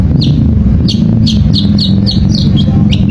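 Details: Long-tailed shrike song used to provoke a reluctant shrike into singing: sharp, high chirps falling in pitch, repeated about every half second, over a loud, steady low rumble.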